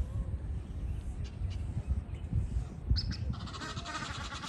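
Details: Wild geese during mating season; after a stretch of low rumbling wind, loud, harsh, harmonic honking breaks in near the end and continues in rough, overlapping bursts, with steady low-frequency wind noise underneath.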